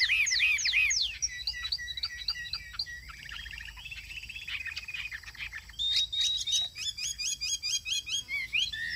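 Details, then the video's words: Chinese hwamei cage bird singing a long, varied phrase: looping whistles, chattering notes and twittering runs, closing with a fast series of bright repeated whistled figures. "Cao cầu hót tốt - bóng bộ cực đẹp - Họat Họa Mi"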